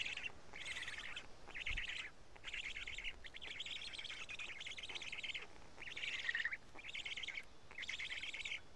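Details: Black stork nest in Karula, midday on 31 May 2017, chicks eating pieces of two big fish; a long run of raspy, chattering bursts, about eight phrases each under a second, steady and insistent.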